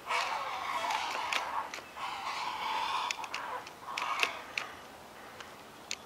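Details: High in a forest treetop nest, with large wings flapping among three herons, a heron chick being fed gives harsh, rapid chattering screeches in bursts of about a second, with short gaps and a few sharp clicks and knocks.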